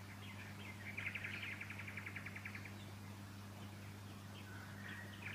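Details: Fuscous honeyeater recorded in Victoria, Australia, in September 2019. A quick, even trill of bright repeated notes lasts under two seconds, followed by a few softer chirps, over a faint low hum.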